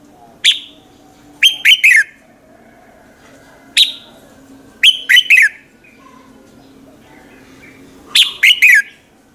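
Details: Red-whiskered bulbul morning song, used as a lure for other birds; a single sharp chirp followed by a quick triplet of bright, descending notes, the pattern repeating about every three to four seconds over a steady low hum.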